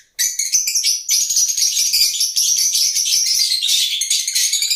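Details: Lovebirds keep up an intense, unbroken chatter of piercing high chirps and squeaks after a brief silent start, the calls overlapping into a dense twittering mass.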